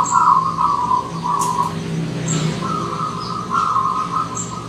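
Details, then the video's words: Wild zebra dove arriving as a visitor, giving rolling, trilled coos in long phrases that run almost continuously through the clip, with faint high chirps from other birds above. "Kedatangan Tamu Perkutut Liar"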